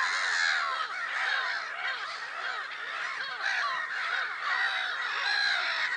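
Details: Black-headed gulls at Lake Sarymsak, Pavlodar region, Kazakhstan, 10 April 2011, calling nonstop: dense harsh cries over a lower layer of quick, regularly repeated arched notes.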